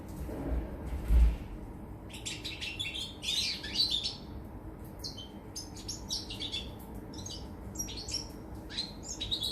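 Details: Goldfinch song from 24 August 2019: rapid high twittering chips and tinkling notes in irregular bursts, after a dull thump early on, with a constant low rumble underneath.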